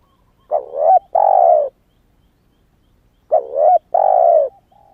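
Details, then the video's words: Young spotted dove, newly calling and not yet moulted from wild plumage, kept to lure wild doves: two phrases of a wavering rising coo followed by a long steady falling coo, about three seconds apart. "Tiếng chim cu gáy mới nổi kích mồi hiệu quả"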